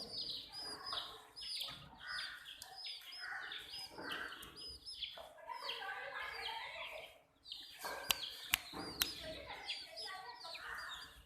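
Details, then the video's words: Several baby chicks chirping while drinking water: bright, falling peeps in loose clusters, joined by sharp clicking taps and a short quiet gap partway through. "Witty MURGI Baby "CHICKS CHIRPING" Sound"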